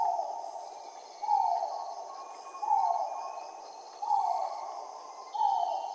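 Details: Great argus (Argusianus argus), a Southeast Asian jungle pheasant, gives loud, short, downward-slurred notes, one about every one and a half seconds, over a steady high insect hum.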